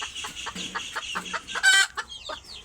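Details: Native free-range farm chickens clucking: a run of short, rough clucks at an uneven pace, then one louder, harsher burst midway, followed by a few softer clucks.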